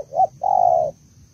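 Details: Female spotted dove of the Malaysian type, kept as a caged bird, calling to stimulate a male: a short low coo followed by a longer, steady, hoarse coo, both mid-pitched, in a quiet setting.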